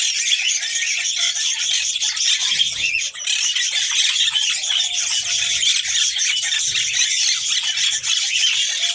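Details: Red-crowned parakeet, or kakariki, a female ready to mate, gives a dense, unbroken stream of shrill, scratchy chatter, with one short pause near the third second and a faint low tone later.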